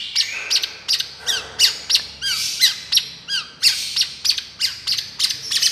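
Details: Long-tailed shrike miyik therapy track: loud, grating squawks repeated about three times per second, interspersed with a few slurred whistled notes.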